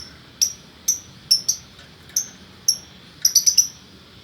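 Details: Male and female lovebird pair kept in Bukittinggi, West Sumatra, Indonesia: sharp, high chirps spaced irregularly, mostly single notes about half a second apart, ending in a quick cluster of four.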